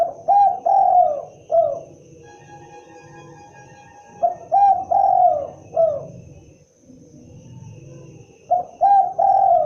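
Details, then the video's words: Spotted dove repeating its soft hooting coo phrase three times, each ending in a long falling note and a short tail note, over a faint steady background tone and low hum. "suara asli khas burung derkuku(Tekukur)"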